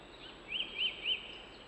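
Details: European robin, live outdoor recording: three brief high arched notes in quick succession, about a quarter second apart, against constant faint hiss.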